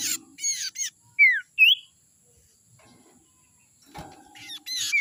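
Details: Young wild sirtu from the forest, its voice used as a lure for birds: sharp high chirps and quick downslurred whistled notes come in short bursts, with quiet gaps and a faint steady hiss behind.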